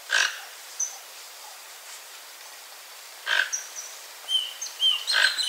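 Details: Toco toucan visiting a backyard papaya tree in Brazil and eating its fresh fruit. Short, harsh croaks come at about 0.2, 3.4 and 5.2 seconds, with thin high chirps of other birds in between.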